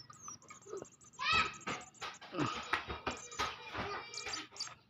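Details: Bird chicks being hand-fed, giving a busy mix of thin high whistles and harsh, rising chirps in rapid bursts, with a steady tone running underneath.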